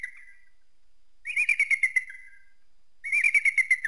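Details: Eagle uttering high, piping chatter: a short whistle, then two fast runs of sharp repeated notes that tail off slightly lower.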